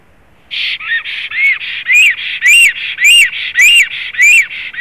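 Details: Black stork at its nest in Zemgale, Latvia, on 7 April 2016: after a brief silence, a run of clear, arched whistled notes with harmonic overtones, repeated steadily almost twice a second.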